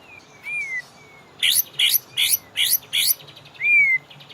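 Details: White-rumped shama training song for caged birds, meant to lure them into singing: thin rising-falling whistles framing five rapid buzzy chirped notes delivered in an even row.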